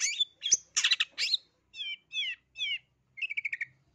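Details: Long-tailed shrike from East Java in full, varied song: harsh rasping bursts, then three clear slurred whistles, then a quick stuttering trill of repeated notes.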